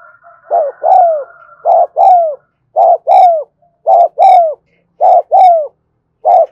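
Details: A spotted dove cooing in the continuous 'thúc gù' style, recorded one afternoon. Five even phrases pair a brief note with a longer descending coo at steady one-second intervals, and a faint thin whistled tone runs under the opening.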